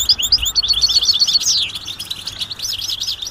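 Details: European goldfinch mating calls in the 'batbata' style, meant to stimulate silent males to sing; quick high chirps about four per second, then a run of slurred, wavering twitter notes after the first second and a half.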